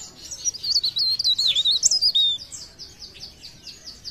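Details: Leaf warbler from Pare Pare (cikrak daun) singing blereng style: a loud rapid sequence of pulsing high whistles, then softer repeated chips fading out.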